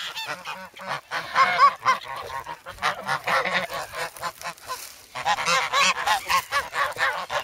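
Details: Young geese, grown from goslings, crowd a person carrying bread in the snow at Sloterpark, Amsterdam, on 3 February, recorded on a Sanyo-SH1. Harsh nasal honks repeat about twice a second, with brief pauses between bursts.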